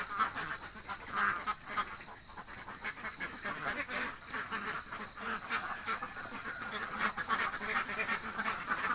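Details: Hungry domestic ducks in a village, a flock quacking together: dense, overlapping nasal quacks running continuously through the clip, fairly faint, with a steady background hiss.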